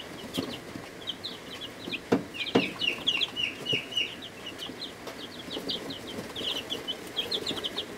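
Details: Chicks in their first week of life in a brooder, a mix of Ameraucanas, Buff Orpingtons, Rhode Island Reds, Barred Plymouth Rocks and Black Australorps, giving many high, short overlapping peeps with scattered knocks and taps.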